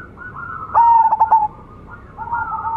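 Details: Zebra dove, a young local bird bred from a champion decoy, singing a loud rolling trilled coo with quick stuttering pulses between soft sustained cooing tones before and after.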